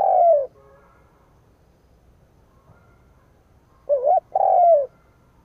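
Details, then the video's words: Cooing of a spotted dove used as a decoy to excite wild birds; the tail of one falling coo opens, then silence before a fresh wavering note and long sliding coo. "Cu mồi gáy gù / Tiếng chim cu mồi kích bổi / Cu mồi gáy bổi nghe hăng máu"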